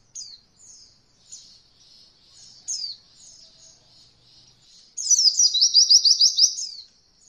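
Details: Oriental white-eye singing roll voll material for beginner birds: soft, high, descending single notes, then a loud two-second trill of quickly repeated rolling notes.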